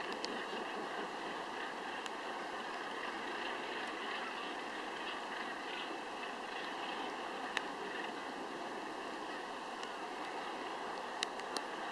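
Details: Steady wind and engine-like hum with a few sharp clicks and no clear animal calls.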